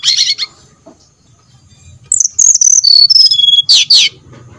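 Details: Brown-chested jungle flycatcher lure song for prompting birds to sing: a buzzy note, a pause, then a string of high pure whistles descending in steps, ending with two sharp downslurred notes.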